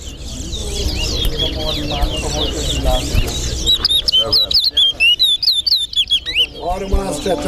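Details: Chestnut-bellied seed finch (towa towa) singing in a Guyanese bird song competition: rapid, sweet warbled phrases of slurred whistles and chips, quickening into a bright, steady run, over low crowd chatter and counting.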